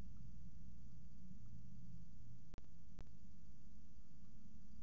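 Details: A steady low mechanical hum runs throughout, broken by two sharp clicks near the three-second mark, with no animal calls.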